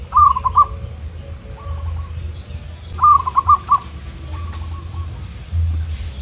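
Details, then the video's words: Local zebra dove trained in the wild, duelling with free-living rivals. Two loud bursts of quick stuttering notes alternate with quieter, smoother answering phrases from farther off, against a constant low drone. "PERKUTUT LOKAL GACOR"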